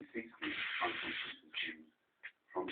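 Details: A pet budgerigar named Micky, in a long talking session, talks in quick, raspy, speech-like bursts with a hissing edge.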